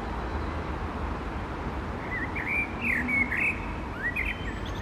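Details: Common blackbird in song: a rich, fluty warble of quick looping whistles that swells in the middle, then closes with a shorter phrase and high, squeaky twitters.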